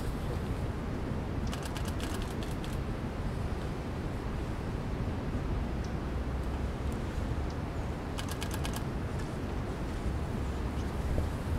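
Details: Dusky warbler at Geestmerambacht, the Netherlands, 15 December 2012: two quick bursts of hard, dry tacking notes, like clicking stones, over a steady low rumble of distant traffic.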